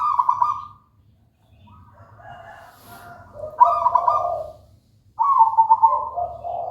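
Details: Zebra dove of local wild type singing actively: bubbling trilled coo phrases that open high and fall into lower purring notes, repeated with short pauses, over a soft low background hum.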